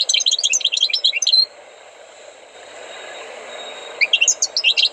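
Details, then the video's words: European goldfinch trained in song gives a busy burst of sparkling, jumbled chirps, falls silent for about two and a half seconds, then resumes with another quick twittering phrase. "غناء حسون قمة في الأداء غلطة لا _Chant du chardonneret"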